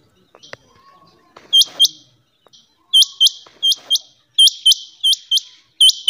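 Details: Rain quail (Coturnix coromandelica) call: sharp, high, metallic whit-whit notes in pairs, repeated about every second, over faint background clicks and hum.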